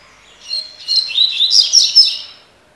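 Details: Tui tui (tocó) song of a spirited Double-collared seedeater: one bright run of rapid, rising and falling whistled and buzzy notes, about six pulses in two seconds, nearly silent background.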